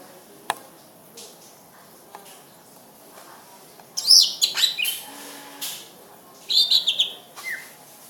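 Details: Greater green leafbird singing after a quiet start with a few faint clicks, then two loud bursts of high slurred whistles and chirps.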